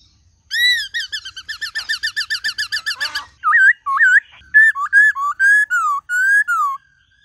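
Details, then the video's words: A laughingthrush sings a fast run of about fourteen clear, ringing whistles, then a looser string of varied looping and slurred whistled phrases, a forest-style multi-voiced song played to train caged birds. "Khướu Hót GIỌNG RẤT HAY- NHIỀU GIỌNG"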